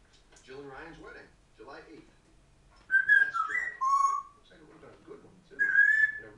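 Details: A female African grey parrot, described as making loads of noise, gives loud, clear whistles that slide up and down in pitch in two bursts, while a woman talks softly before and between them.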